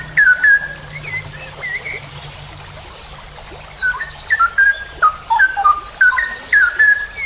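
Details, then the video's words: Cucak rowo, or straw-headed bulbul, recorded as a master for training songbirds, long 'ropel' delivery: loud mellow whistles in short gurgling phrases, a quieter gap midway, then a dense run of rolling notes; thin high twitters in background. "MASTERAN cucak rowo Berkelas||ROPEL PANJANG"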